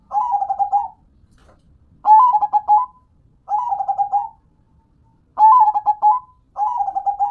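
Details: Five closely spaced trilled coo phrases from a local zebra dove (perkutut) kept as a hobby bird, each a rapid burst of staccato notes ending in a held coo, roughly every one and a half seconds.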